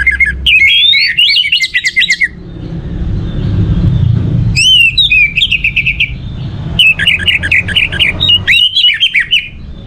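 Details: Orange-headed thrush singing, used to stimulate other birds to sing: three rich phrases of rapid warbles and whistled notes, each a second or two long, with quiet low rumble between them.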